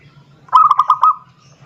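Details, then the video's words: Zebra dove song aimed at a rival, used as a lure: one short burst of five or six fast, bubbling coo pulses ending in a brief held tone, with a faint low hum behind. "suara perkutut memanggil lawan"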